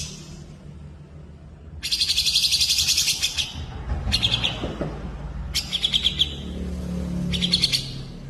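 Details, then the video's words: Bird song used as a tutor recording for training cage birds, with cucak jenggot, cililin and kenari named; loud bursts of rapid high chattering trills alternate with short pauses over a low background hum. "masteran cucak jenggot cililin kenari"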